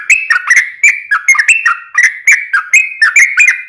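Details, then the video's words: Yellow-vented bulbul (trucukan) in lively song for luring other bulbuls to sing: rapid bubbly whistles around a single pitch, some notes dipping lower, delivered about four per second. "trucukan gacor ROPEL PANJANG"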